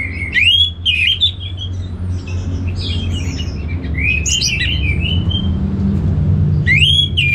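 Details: Caged Orange-headed thrush in Singaraja, North Bali, Indonesia, singing vigorously: loud warbled phrases of rich, slurred whistles and quick chirps, pausing between bursts at the start, middle and end, over a steady low rumble.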